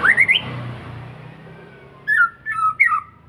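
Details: White-rumped shama singing to lure other birds: a rising whistled phrase, then after a pause a series of rich, warbled whistles falling and wavering in pitch, over a steady low background hum.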